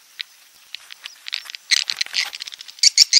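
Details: Edible-nest swiftlet roosting call used to attract swiftlets: sparse sharp high clicks grow into dense rapid bursts of dry, twittering chirps, quiet between notes.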